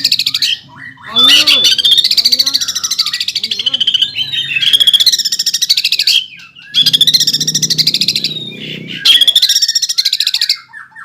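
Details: Greater green leafbird singing 'nembak ngeroll', a style said to stir other leafbirds: four extended bursts of rapid rattling high notes with sliding whistles, divided by short silences.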